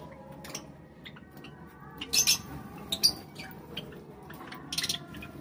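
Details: Java sparrows eating: short, sharp, high chirps burst out near the second, third and fifth seconds over a steady low hum and faint background noise.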